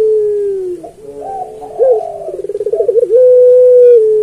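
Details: Puter pelung turtle dove singing, a recording meant as a master track for training other pelung doves; a long, low, steady coo, then a wavering, rapidly pulsing warble, ending in another drawn-out, even coo.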